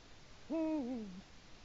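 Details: Eurasian eagle-owl at its nest at 19:02 on 1 October 2017, digging the nest bowl, gives one deep, wavering hooting note sliding lower at the end, under a second, over quiet hiss; autumn territorial calling, males call every evening.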